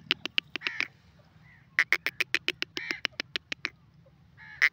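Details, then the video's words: Grey francolin, also called gora teetar, calling in rapid bursts of sharp clicking notes. The notes come in quick runs separated by short pauses, over a faint low hum. "grey francolin and gora teetar ki awaz"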